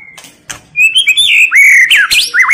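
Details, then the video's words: Female-voice tạch líu song of the white-rumped shama, used to excite males for fighting. After two sharp clicks comes a loud, flowing whistle that rises, dips and loops. "Chòe lửa tạch líu giọng mái kích lửa"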